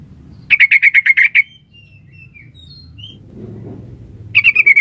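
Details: Female sooty-headed bulbul calling for a male: a rapid burst of about eight harsh, bright notes, then a few soft thin whistles, then another fast burst begins as a low murmur rises.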